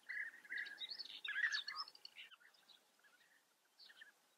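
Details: European bee-eaters at a breeding colony in the Eifel, Germany: a burst of rolling, liquid trilled notes packed into the first two seconds, then fading to sparse softer calls, with a brief late flurry.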